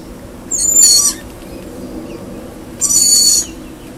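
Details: Lorikeet; screeching call; greeting a familiar person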